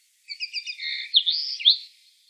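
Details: A common linnet in the town of Wittlich, Germany, in 2018, gives a brief, high twittering phrase of quick chirps and buzzy, slurred notes lasting about two seconds. No other sounds are heard.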